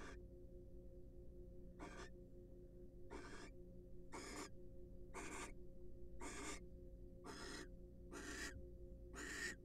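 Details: Wild barn owls preening each other and courting inside a nest box; a long series of nine noisy, broadband hissing screeches, each short and harsh, delivered about once a second against a faint steady hum.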